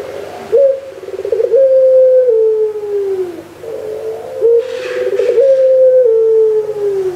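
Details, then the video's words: Puter pelung Barbary dove on 3 March 2020 repeating its coo twice, each starting with a short rolled flutter, then a held tone that bends downward; a soft breathy rustle sits between the phrases. "Puter pelung"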